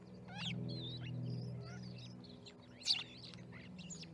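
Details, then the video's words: Starlings massed at a Charlo, Montana osprey nest on 10/07/2019 chatter busily, with overlapping whistles, squeaks and rattling notes from many birds at once and one loud sharp note midway, above a low droning hum. "Starling Party"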